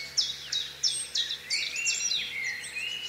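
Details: Black kite voice: a string of shrill notes, each dropping steeply in pitch, repeated about three per second, then fading into softer overlapping sliding calls.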